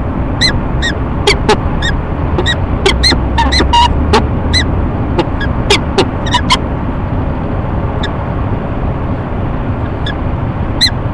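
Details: A courting peregrine falcon pair at their nest box atop a Rochester, New York building, March 19, 2011, around 9 a.m.: short sharp ee-chup notes scattered through the first seven seconds, then sparse, over a heavy low rumble of city traffic.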